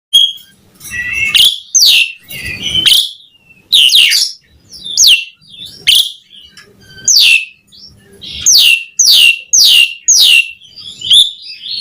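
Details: Asian pied starling in vigorous gacor song, full of varied fills. Bursts of loud, bright whistles and slurred notes, often sweeping downward, in clusters separated by short pauses. Faint low rustling sits beneath.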